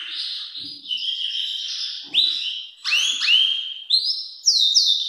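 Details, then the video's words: Belgian canary singing very loudly, suggested for training young birds: high, clear whistled notes, sustained rolls and sharp rising and falling slurs, changing phrase every second or so. "Canário belga cantando muito forte"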